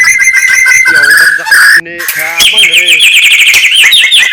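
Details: Morning song of a white-rumped shama: loud, harsh-edged whistled notes and buzzy repeated phrases, with a sudden louder burst midway and rapid chattering notes toward the end.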